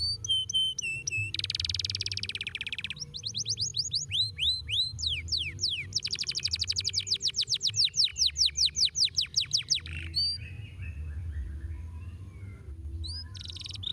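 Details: Domestic canary song built from rapid rolls of sharp descending sweeps, a dense buzzy tour, then fast repeated chips speeding into a pulsing roll, with a low background hum throughout.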